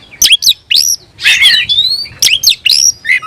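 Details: Excited oriental magpie-robin with tail open, calling out a rival: short bursts of bright whistled slurs and rough scratchy notes, broken by brief gaps about once a second.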